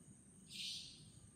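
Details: A single brief, coarse buzzing screech from a savanna nightjar, recorded 11 April 2018 at Chunghsing New Village, Nantou, Taiwan, with faint low-pitched background noise.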